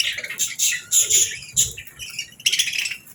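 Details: Female budgie chirping gently among other budgies on a calm morning; quick high twittering with thin whistled notes, a short lull, then a renewed burst of chatter.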